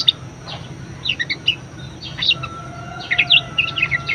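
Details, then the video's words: Budgerigar, a very vocal bird whose song is used to prompt and tutor other birds, giving scattered high chirps and short twittering bursts, busier in the second half, over a steady low hum. "BURUNG PARKIT PALING GACOR_SUARA MEWAH_COCOK BUAT PANCINGAN & MASTERAN"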